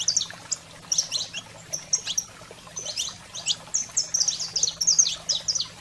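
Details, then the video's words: Saffron finch in a fired-up 'wild fire' song, played to stimulate pet canaries: bursts of sharp high chirps and short bright trills in loose phrases, with a steady low hum underneath. "Canário-da-terra Fogo Selvagem para Estimular a Fibra e Foguear seu Canário em Minutos"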